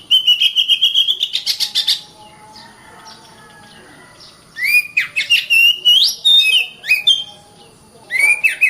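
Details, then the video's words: Caged Oriental magpie-robin in full song: a quick run of repeated whistles, a quieter stretch, then a loud mix of rising and falling fluty notes and harsh chatter. "BURUNG KACER GACOR RAPAT"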